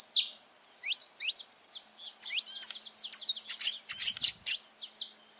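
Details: A gathering of wild saffron finches in nature: quieter, more distant high chirps and thin twitters, scattered at first then thickening into busy overlapping bursts.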